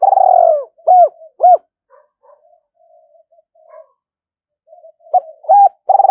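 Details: Spotted dove kept as a decoy bird, calling to lure wild birds to fight: deep hollow coos in short grouped phrases, a long coo, two quick rising notes, then soft scattered low murmurs before more coos resume near the end.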